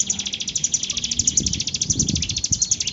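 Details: Bar-winged prinia singing; a fast, even series of high, dry trilled notes repeated about ten times a second throughout, with faint low background rumble.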